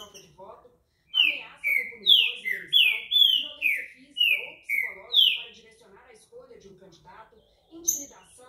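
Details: Green-winged saltator, known locally as pixarro or trinca-ferro, a good singer, delivering a run of loud, clear whistled notes that slide downward, about eight in quick succession, with faint chirps and murmuring voices beneath.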